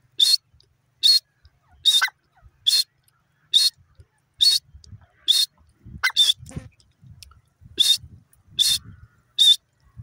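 A francolin gives loud, harsh, high notes, about one every second, ten in a row, with faint low thumps and rustling beneath.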